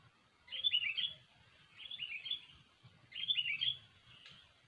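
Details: Sooty-headed bulbul, lively song used to lure birds for trapping: three bubbly phrases of quick descending slurred whistles, each about half a second long and spaced roughly every 1.3 seconds, with a faint low hum.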